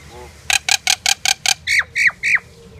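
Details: Common myna song: a run of six harsh, grating notes at a steady quick pace, then three loud whistles, each dropping sharply in pitch, against quiet low background noise.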